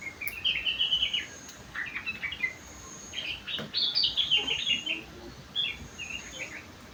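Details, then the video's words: Kutilang, the sooty-headed bulbul, delivering song filled with rengganis and cucak wilis phrases: rapid runs of sharp chirps and twittering notes, mostly high and bright, in several bursts separated by short gaps. "burung kutilang isian rengganis / cucak wilis"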